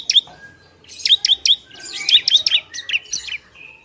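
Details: Bar-winged prinia, a semi-trained bird whose noisy song is used to provoke other prinias: sharp high chirps and short twittering bursts in quick clusters, with brief gaps between phrases and a thin trailing note.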